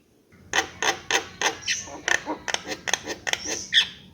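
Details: Javan myna song made of dry, clicking and rasping notes repeated about three times a second, mixed with a few brief whistled accents and a faint low background hum.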